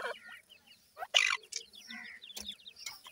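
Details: Young francolin chicks, known locally as dakhni teetar, giving short, high, downslurred peeps that overlap in busy bursts, with one louder harsh chirp near the middle.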